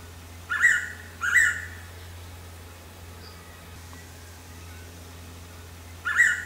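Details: Blue-winged pitta (Pitta moluccensis), call.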